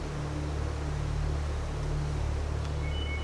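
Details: A steady low rumble like an engine or distant surf fills the recording, with no animal voice standing out.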